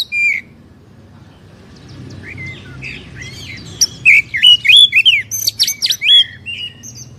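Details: Oriental magpie-robin song for provoking a captive bird to sing: after a brief note and a quiet stretch, a fast burst of sweet whistled and slurred notes mixed with clicking chips.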